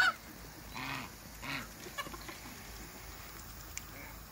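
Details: Two African geese in a backyard with other waterbirds give two short nasal honks near the start, then a few faint clicks, set against a steady low hiss.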